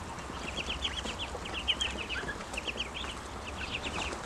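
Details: Peeping of hungry, grown ducklings: rapid strings of high, slightly descending notes from several birds at once, nearly continuous, with faint low rumble beneath.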